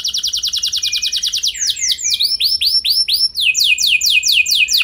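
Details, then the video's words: Canary singing as a trigger recording to prompt other canaries into long rolls: a fast, high trill gives way to slower, swooping arched notes, then another quick rolling trill. "Pancingan Burung Kenari Ampuh Bikin Kenari Lain Auto Gacor Ngeroll Panjang | Canary Singing"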